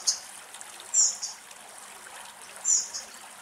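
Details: A spotted flycatcher (Muscicapa striata) at a bird bath in a shady Greek forest gives thin, very high, squeaky notes in brief pairs, spaced a second or more apart, over a soft trickle of water.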